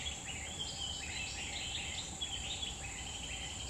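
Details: Grey-bellied bulbul recorded wild in a Central Kalimantan forest: short, warbling, liquid note groups that rise and dip, delivered in bursts over a loud continuous shrill insect hum.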